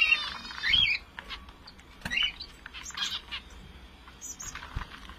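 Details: Finch calls: a couple of squeaky, slightly rising chirps at the start, then softer scattered high tweets fading out in a quiet room.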